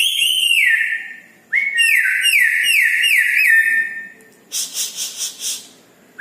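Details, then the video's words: At night, a red-breasted parakeet repeats falling whistled notes in quick succession, about one every half second, followed by a run of breathy rhythmic puffs and a final rising whistle. "Nuri Paltem Gacor diMalam Hari"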